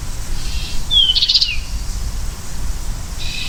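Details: American goldfinch giving a single short high phrase: a thin rising whistle sliding into a brief bright buzzy burst, with faint high tones near the end and a steady low background hum.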